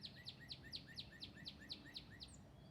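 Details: A male northern cardinal in a tree above a feeder in the Northern Virginia woods calls back and forth one morning: a fast run of about ten clear, downslurred whistled notes, roughly four per second, over a soft outdoor background.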